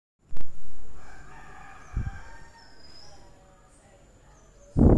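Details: A talking grey parrot, after eating, gives a long, drawn-out, voice-like call lasting over two seconds, somewhat like a rooster's crow. Sharp knocks are heard at the start and end.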